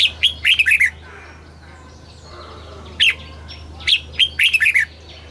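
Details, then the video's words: Thai red-whiskered bulbul singing southern master-style phrasing, used to stimulate caged birds and tutor young birds: rapid rolling whistled phrases of four to six notes, one near the start and two more after a quiet gap, with a low constant hum. "เสียงนกกรงหัวจุก สำหรับต่อ หรือ เปิดให้นกคึก เสียงเพราะๆ"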